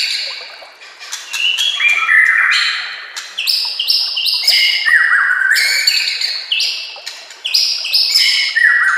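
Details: Varied song of a white-rumped shama meant to train other shamas, with natural ambience and trickling water; loud, echoing whistled phrases repeat about every second, mixing sharp downward slurs and sustained high tones.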